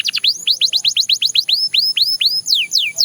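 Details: Belgian canary singing: a rapid run of downward-sweeping whistled notes, then slower arched whistles and a few long falling slurs. A faint steady high whine runs underneath.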